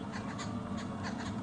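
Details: Babblers flying around at sunset on 11 December 2015, calling with harsh, rasping chatters in quick bursts, about four or five in under two seconds, over a steady low rumble.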